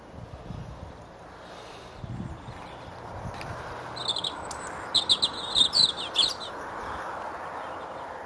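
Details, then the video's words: A male European robin sings in a hawthorn tree at Edgcumbe in Wendron, Cornwall, on a cold grey January morning; after a quiet start, a short burst of high, thin warbled notes with quick trills follows, over steady low background rumble. "Robin Singing His Heart out"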